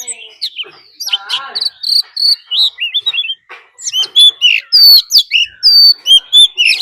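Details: Oriental magpie-robin decoy singing a fighting song alongside a wild female's call to stir up birds; scratchy chatter first, then after a brief pause a run of loud, ringing whistled phrases.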